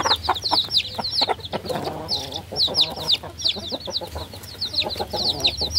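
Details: Several baby chickens peeping in a busy chorus: high, quick descending chirps in bursts, with lower scratchy sounds and a low background hum.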